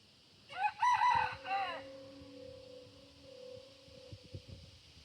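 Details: Rooster crowing at sunrise on a farm with ducks and goats: a harsh multi-part crow of about one and a half seconds with a rising then wavering pitch, followed by a long steady hum and scattered low knocks and rustles.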